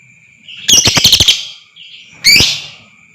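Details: Lovebird sound for provoking long trilling in other lovebirds: a quick harsh chattering burst of rapid pulses lasting under a second, a brief pause, then a single loud rising screech.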